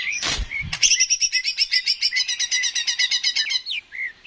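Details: Greater green leafbird (cucak ijo) singing to stimulate other birds: after a loud knock, a fast steady trill of bright repeated notes for nearly three seconds, ending with slurred whistles.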